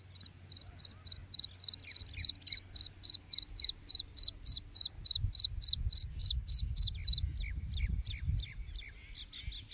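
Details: Black francolin chick calling: a rapid run of thin, high, peeping chirps, about three to four each second, growing louder and then breaking into scattered softer peeps, with low rumbling noise near the end.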